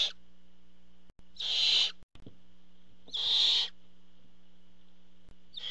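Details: Barn owls at a nest box as a parent brings food; harsh, broad hissing screeches about half a second long, repeated roughly every one and a half seconds, with a faint steady electrical hum beneath.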